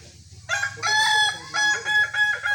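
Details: Kukuak Balenggek chicken at a sparring session giving a short, bright crow: several ringing harmonic syllables in quick stepped bursts, each about a third of a second, over a low background hum.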